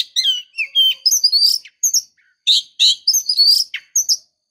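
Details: White-rumped shama female calling to stimulate the male: rapid jumble of sharp chirps, buzzy notes and short whistles, in quick irregular bursts.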